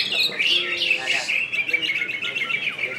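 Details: Greater green leafbird from West Kalimantan (Kalbar), a kept bird, in gacor style: bright, rapid twittering and chirping over a steady high whistle, a continuous busy flow of notes.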